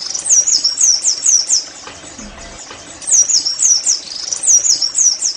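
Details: Oriental white-eye singing in the 'nembak' style, played to get other white-eyes singing vigorously. High-pitched, quick looping twitters in two bursts, with a short quieter pause between them.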